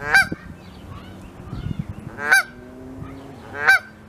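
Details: A wild Canada goose with goslings settling beneath the mother's wing for sleep, Saskatoon, Saskatchewan, May 16, 2021. Three strong, nasal honks are heard, the last two about 1.3 seconds apart, with faint murmuring calls between.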